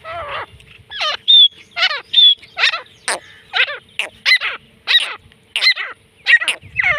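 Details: Francolin (teetar) from Pakistan, used for calling and hunting wild francolins; loud harsh downward-swept notes with a thin whistled overtone, repeated about every half second.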